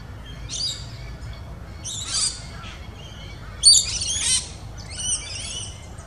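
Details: Regent bowerbird, yellow and black, in a back-yard garden at Mudgeeraba on the Gold Coast, Queensland, gives harsh, rasping squawks in four or five short bursts about a second apart, the loudest near the middle, with a faint low background rumble.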